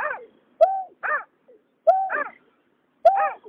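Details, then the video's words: Calls of a male and female water rail from 2021: a sharp-onset flat note that sags at the end, answered by a broader, buzzy, falling note, the pair repeating about every 1.2 seconds. "Tiếng nhát hoa, cà cuốc trống mái"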